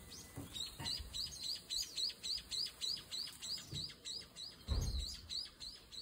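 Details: A bathing brown-eared bulbul on Ishigaki Island, Okinawa, gives short, sharp, high chirps in a quick steady run, about three or four a second, over a few low splashing thuds.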